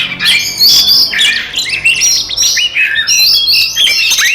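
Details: Oriental magpie-robin fighting song used to provoke and anger other magpie-robins, a loud continuous run of varied whistles, sharp chirps and rising and falling slurred notes with no pauses.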